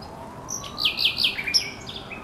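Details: Thrush nightingale song recorded at Żerań Canal, 24 April 2022. Loud, piercing whistled notes with sliding, looping shapes form a short phrase of five or six bright elements over faint background hum.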